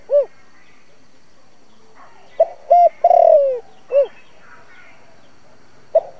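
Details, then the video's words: Spotted dove cooing used as a trap lure: rounded note, then a phrase of clipped note, flat hoot, long buzzy descending coo and domed final note, beginning another phrase at the end. "Tiếng cu gáy dùng cho loa bẫy, cu gáy mồi cây kích bổi nhanh nổi"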